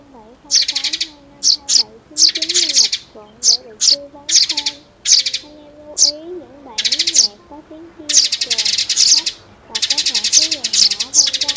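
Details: Sparrow (Chinese/white sparrow) lure recording used for trapping with nets and glue, with music mixed in: dense, bright, high, scratchy chirp bursts about every second over a steady wavering musical tone.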